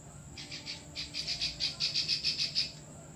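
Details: Klik-klik bird chattering steadily, recorded for tutoring other birds: a rapid string of about fourteen sharp, high clicking notes, a short gap after the first few, over faint low background hum.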